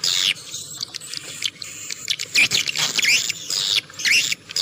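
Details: High, busy swiftlet twitters in uneven bursts, some notes sweeping upward, separated by short quiet gaps; the recording is presented as a clear swiftlet sound.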